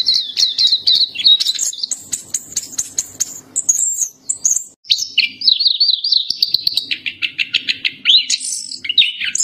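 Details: Black-capped white-eye song mixing a high warble with very high rapid ticking notes, then a zigzag trill and fast repeated clicks.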